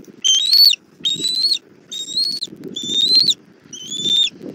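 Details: Bald eagle nest in Southwest Florida, evening of 1 April 2024 as the mother delivers food to the chick: five clear, piercing whistled notes, each about half a second long with a slight upward slide, separated by short quiet gaps.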